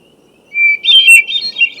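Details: A single hermit thrush song phrase: one clear, steady whistled opening note, pitched differently from the previous phrase's opener, then a quick, fluty, shimmering tumble of higher notes.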